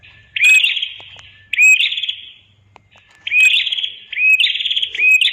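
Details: Red-headed prinia singing, recorded as a master for other birds: harsh buzzy trills introduced by quick upslurred notes, two phrases, a short gap, then a run of several more, with faint low hum beneath.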